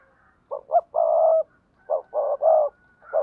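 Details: Spotted dove cooing for bird keepers: short low coo notes then a long drawn coo, a pause, and another cluster of three coos ending in a long one.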